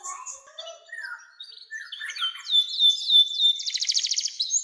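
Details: Canary singing for training young birds, starting with scattered soft twitters and chips, then a loud repeated whistled note and a dense high buzzing trill at the end.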